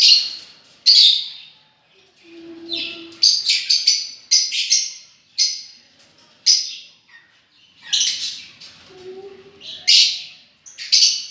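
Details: Shrill squeaky chirps from lovebirds, delivered in quick irregular bursts with brief silences, plus a faint lower hum-like tone twice.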